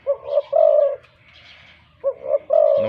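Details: Caged decoy spotted dove with a big voice, drooping its wings as it calls. Two phrases, each two quick notes then a long resonant coo, separated by a pause.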